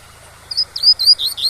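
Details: Double-collared seedeater singing tui-tui style to teach young birds, waterfall in the background: a few sustained high whistles, one sharply swooping, spaced by short gaps, above a steady low rushing sound.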